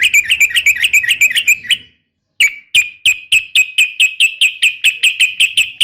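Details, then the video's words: Female sooty-headed bulbul calling a male, in a rapid fighting-style call series used to lure males into answering. Sharp, bright notes fire in a fast row, break off after a short silence, then resume as a steady rapid string. "trucukan ropel panjang TARUNG TAJAM"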